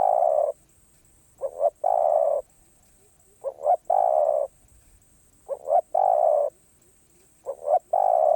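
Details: Repeated song of a spotted dove in the karom pa roi style, four phrases about two seconds apart, each two quick coos leading into a long, even, throaty coo; a faint high whine runs throughout.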